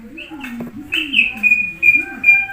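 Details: Common hill myna imitating human voices, giving sliding whistled notes and short chirps over a low, voice-like murmur, with a few sharp clicks between phrases.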